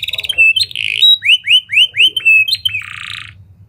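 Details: Canary singing a lovebird and prinia (prenjak) styled phrase, used as a lure for other canaries: a row of five short downslurred whistles between harsh buzzy bursts, ending in a grating rasp.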